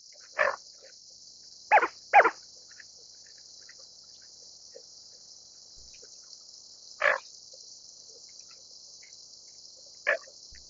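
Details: Greater scaup giving sparse, harsh, grating calls: one, then a close pair, a long gap, another, and a last one near the end, with a steady high hiss throughout.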